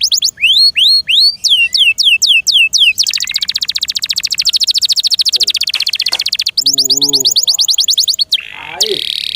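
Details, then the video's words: Canary song in captivity, very loud and varied: slurred downward whistles, a long fast buzzy trill, a short low gurgling warble, then more rapid sweeping notes. "THE BEST CANARI BIRD"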